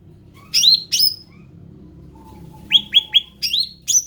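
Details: Ruby-throated bulbul, described as endemic, gives two loud slurred whistled phrases, a pause with a faint thin tone, then three rapid upswept notes and two more phrases over a low rumbling background.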